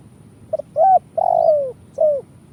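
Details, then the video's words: Lure recording of a spotted dove from Indonesia, kuk 1 style, played to draw birds into traps: two faint clipped notes, a rising coo, a long descending mellow coo, then a brief falling final coo. "Suara Burung Tekukur kuk 1"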